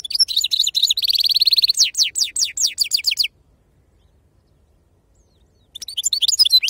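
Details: European goldfinch of wild stock: a fast buzzy trill followed by a series of descending slurred whistles, then silence for about two seconds before twittering resumes.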